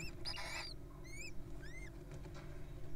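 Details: Begging from wild little owls at feeding time: a few high, rising squeeky notes with faint rustling between them, above a persistent low hum.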